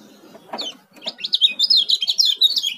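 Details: Fast, high-pitched song of an Oriental white-eye (kecial kuning) from Lombok: a rapid run of sharp, twittering notes rushing together after a few soft knocks, with faint low rustling underneath.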